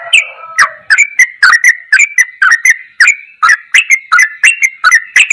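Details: Tutor recording of sooty-headed bulbul ropelan goklikan song: opens with a lower, blurred tone, then brisk clicking, liquid notes repeated in quick succession.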